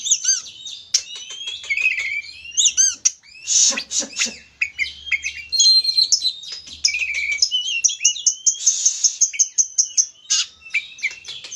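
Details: Lively Oriental magpie-robin song used to stir another bird into singing, a dense stream of rich whistles, slurred notes and rapid chips, with clear rising and falling phrases and occasional soft low hum underneath.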